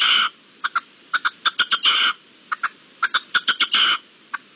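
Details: A wild red-legged partridge, recorded 13–14 March 2022, gives harsh, grating chuck notes in uneven bursts, some clipped and some drawn out, against a quiet background, before finally flying off.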